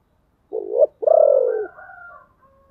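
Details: Spotted dove kept as a decoy, giving its luring call: a brief rising coo then a long hoarse falling coo, trailing into a faint lingering tone.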